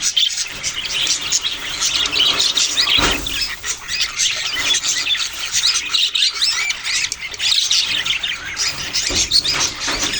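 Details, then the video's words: Several budgerigars keep up a continuous busy chatter of high chirps, squeaks and scratchy warbling notes, overlapping without pause throughout. "parrot sounds and chirping sounds"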